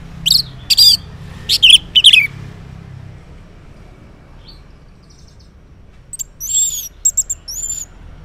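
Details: Orange-headed thrush morning song used as a lure for silent males: a few loud buzzy whistled notes early, then quiet, then high thin rising and falling whistles later, with faint low traffic rumble beneath.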